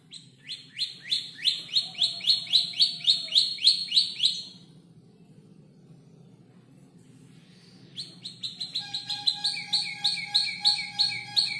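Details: Canary aged roughly five months learning to order its song from tutor birds' calls; a rolling trill of high descending notes for four seconds, a quiet pause, then another fast trill with an even whistled tone underneath.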